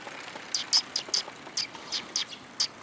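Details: A group of sparrows coming for food on 4 December 2021, outward trip: a busy string of short, high, scratchy chirps, around ten in under three seconds, unevenly spaced.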